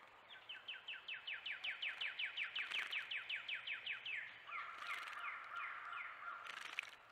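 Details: A wren at a bird bath gives a long, even series of about twenty loud, downslurred whistled notes, then a quicker stuttering run over a steady lower tone, with brief splashes.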